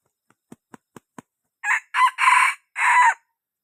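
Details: Red junglefowl crowing: a few soft clicks, then one broken crow of four harsh, ringing bursts that start short and stretch longer, each carrying bright upper tones.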